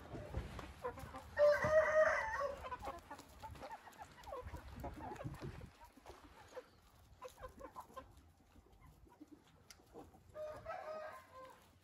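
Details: Hint rooster crowing: a loud harmonic crow of about a second near the start, then a fainter crow near the end, over a background of scattered clicks and knocks.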